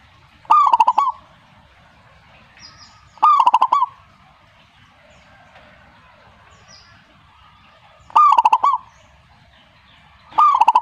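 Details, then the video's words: Zebra dove singing: short bursts of rolling, bubbling coos, each under a second, repeated every few seconds over a quiet background. "suhu perkutut jika nyaut"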